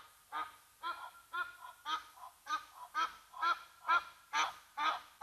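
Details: Upset by a Brown Hyena at Gnu Pan waterhole, Mabula Game Lodge, South Africa, Egyptian Geese keep up a regular run of hoarse, nasal honks, roughly two per second, growing slightly louder through the run.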